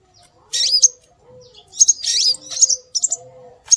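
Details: Scarlet minivet lure calls: a few bursts of high, curling whistled chirps, with a soft, lower steady tone heard between them.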